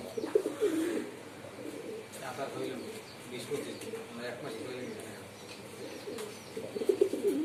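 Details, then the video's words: Several pigeons coo in low, rolling, warbled bursts that rise and fall in overlapping waves, with brief pauses between bouts and faint higher chirps and voices in the background. "Pigeon Sound || Different Different Pigeon Sound effect"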